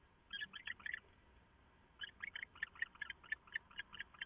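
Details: Pair of owls calling together at 4:27 AM on 22 September 2014, bonding just before going to roost for the day; two bursts of rapid, clipped chattering notes, the second burst longer, with a short quiet pause between them.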